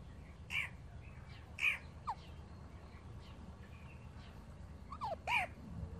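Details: Baby Alexandrine parakeets, newly acquired pet parrots, give three loud, harsh, raspy squawks spaced about a second apart, with a few fainter short notes between them over a low, steady background hum.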